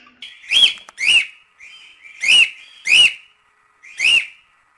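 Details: Cockatiel whistling: five loud, sharp rising-then-falling whistled notes spaced about a second apart, linked by a faint steady thin tone.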